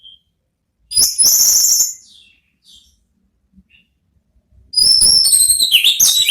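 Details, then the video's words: Orange-headed thrush singing in the ngeplong style, used as a therapy song to lure another thrush into answering: two loud, dense bursts of high, rapid, shrill notes about four seconds apart, with near silence between. "belajar NGEPLONG cocok untuk MEMANCING ANIS MERAH supaya ikut NYAUT ¦ KICAUAN TERAPI"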